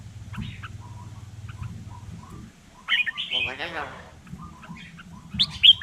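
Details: Vietnamese hill myna imitating human talk: scattered quiet clicks and short notes, then a loud harsh, voice-like burst with stacked ribbed tones, followed by soft chatter and a final sharp whistled squeak; a person speaks Vietnamese afterward.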